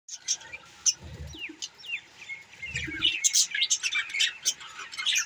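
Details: Budgerigars recorded on December 18, 2023, possibly in Larkana, Sindh: scattered high chirps and short rising tweets, sparse at first, then denser overlapping chatter in the second half, with brief low thumps near the start.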